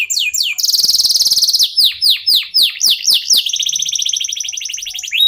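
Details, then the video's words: Local canary in full song, used to spur other birds into singing: whistled slurs, a long rapid rattling trill, repeated downward-sweeping notes and another sustained trill. "KENARI LOKAL GACOR TOTAL, SEMUA IKUTAN BUNYI..PANCINGAN AMPUH BIKIN CEPAT GACOR"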